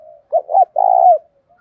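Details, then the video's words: Decoy spotted dove calling to provoke fighting: a single phrase of two quick low coos followed by a long, slightly falling coo. "Chim Cu Mồi_cu gáy thúc đấu"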